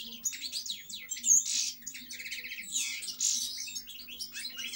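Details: European goldfinch in full song: tightly packed bright twitters and a buzzy rattling trill, high-pitched and rapid, flowing almost without a break, with a low constant hum beneath.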